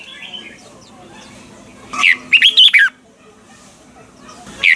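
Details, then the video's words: Red-whiskered bulbul kept in a cage and singing a training song in the double-note style. A single quick phrase of four or five clear whistled notes is followed by a brief note at the end. "chào mào hót âm kép già rừng hay tuyệt"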